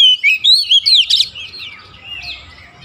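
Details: Oriental magpie-robin (kacer) giving nonstop 'gacor' chattering song to encourage lazy birds: four or five loud whistled notes in quick succession, then fading softer warbles.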